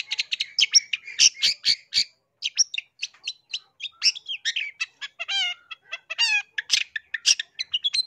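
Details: Song of a long-tailed shrike for luring wild birds: dense chattering notes, then mimicked trilled and rattling phrases with descending sweeps, varied and continuous for several seconds.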